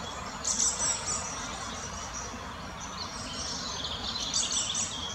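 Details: Fieldfare, an adult with a juvenile, in the Botanical Garden in Munich: thin, high squeaky notes in two short bursts, one near the start and one after a quiet spell, over a steady low background hum.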